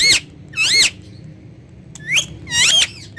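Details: Pet ringneck parakeet talking face to face in Urdu and Hindi: four short, high, strongly harmonic phrases with bending pitch, two at the start and two near the end, with quiet gaps between them.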